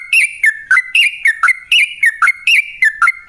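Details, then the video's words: Yellow-vented bulbul in long, rapid song used to lure others to sing: liquid whistled notes alternating high and low, falling slurs repeated in quick bouncy succession. "Masteran Kicau Burung Trucukan Gacor Dor Pancingan Pikat"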